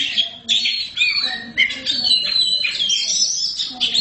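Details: Black Oriental magpie-robin (kacer hitam) singing gacor: quick scratchy chirps and whistled slurs in tight phrases, with faint voices in the background.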